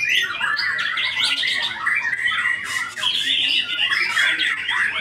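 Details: White-rumped shama delivering a fast, varied song of warbled whistles and scratchy notes, dipping briefly before resuming with bright high phrases.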